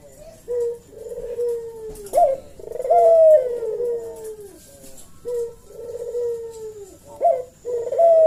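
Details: Eurasian collared dove giving a lively lure call meant to provoke other birds into replying: low, drawn-out coos that slide gently downward, repeated in bursts of two to three seconds with short sharp upward notes between them.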